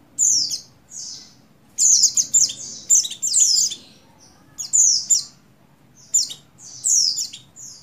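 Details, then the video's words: Oriental white-eye female of the buxtoni form, in breeding condition, calls a male in quick runs of high, slurred, falling chirps. Some bursts bunch three or four notes closely, with short gaps between groups. "Call Burung Pleci Betina Birahi Memanggil Jantan"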